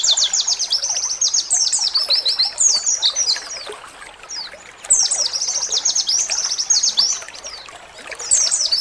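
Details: Small Oriental white-eye giving 'ciak ciak' calls, used as a lure to make kept birds sing: dense runs of thin, high, rapid chirps sliding downward, in bursts with a brief lull near the middle.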